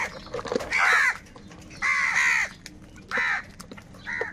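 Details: Several crows fight for food, calling angrily in a steady string of loud, harsh, drawn-out caws, roughly one every second, with faint clicks and rustles between them.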